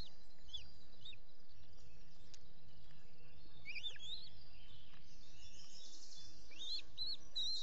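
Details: Wild osprey at a nest in the Finger Lakes region, US, on 14 June 2021 around dawn, as the male feeds the chicks. Short, sharp whistled chirps, some rising, come in scattered bursts over steady low rumble and background noise.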